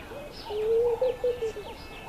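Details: Laughing dove displaying to attract a female's attention: a bubbling run of low, soft cooing notes, the middle ones loudest and steady, then fading in short rolling pulses, with faint higher bird chirps behind.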